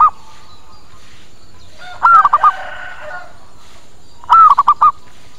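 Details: Zebra dove lure call meant to draw birds in fast and get them answering: a coo that rises and falls, then three or four short clipped coos, given twice about every two seconds, with faint high whistles of another bird behind.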